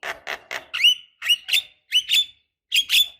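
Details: Javan myna lure to get quiet birds singing, with a female calling a male: three low gritty chuckles, then repeated harsh squawks ending in bright rising whistles.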